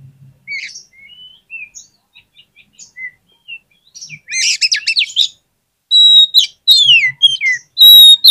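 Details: Oriental magpie-robin singing to stimulate lazy birds to answer: soft scattered whistles build to a harsh buzzy trill, followed by loud clear downslurred whistles and chips.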